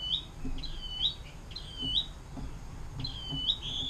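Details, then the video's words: Canary song in the long 'air mancuran' style, kept as a tutor recording for songbirds such as white-rumped shama, greater green leafbird and long-tailed shrike; high upslurred chirps come in uneven bursts over faint low background noise. "KENARI DENGAN LAGU AIR MANCURAN PANJANG"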